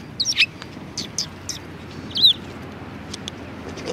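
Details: Several sparrows calling at a Tenmangu shrine in February 2020, with short, slightly buzzy chirps, one loud twittering note and scattered softer ones from birds nearby, over low background noise.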